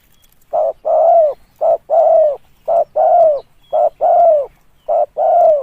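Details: Spotted dove calling, a recording used as a lure: five steady phrases, each a short coo followed by a longer, deeper coo that falls at the end, repeated about once a second on a quiet background.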